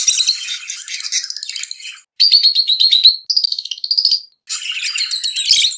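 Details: Lovebirds giving excited chirping during mating: bursts of harsh, buzzy high chirps separated by brief pauses, including a run of clearer whistled notes in the middle.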